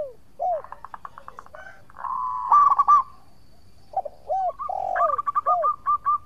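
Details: Zebra dove of local stock in full song, used as a lure to provoke other doves into replying: soft cooing phrases, then a run of rapid, evenly spaced staccato coos, with another dove's lower, drawn-out notes.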